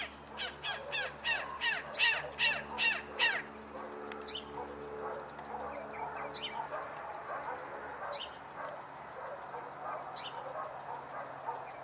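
A chimango caracara gives a harsh, scratchy series of about seven screams, roughly two per second. After that come a few thin sharp notes over a steady low mechanical hum.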